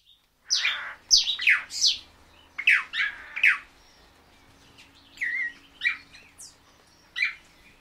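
Swallow-tailed manakin giving a run of sharp, high descending notes, some doubled, then softer buzzy and twangy calls spaced about a second apart.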